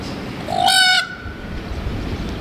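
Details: Free-roaming Indian peafowl calling in the morning: a single loud, brassy wail that rises briefly before breaking off, over a low background rumble.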